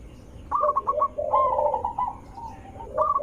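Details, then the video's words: Zebra dove cooing played to lure others into answering: a short stuttered run of coos slides into a drawn-out, rolling trill with a lower purring undertone, then a fresh staccato burst begins. "langsung Nyaut Panik dengar Suara Besar Merdu ampuh untuk pancingan burung perkutut"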